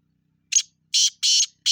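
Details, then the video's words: Black francolin giving harsh, scratchy notes: a brief clipped opener, then three longer rasping syllables in quick succession, cut off mid-phrase, in otherwise quiet surroundings. "kala teeter ki awaz."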